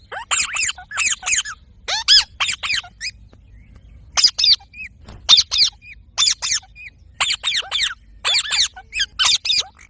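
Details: Soft-voiced parrot repeating short, sharp descending chirps in tight groups of two to four, roughly every second, over a faint low hum.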